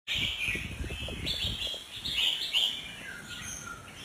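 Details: Albino sooty-headed bulbul singing short, clear, fluty whistled phrases that rise and fall, several notes run together in quick bursts, with low thumping handling noise underneath during the first half.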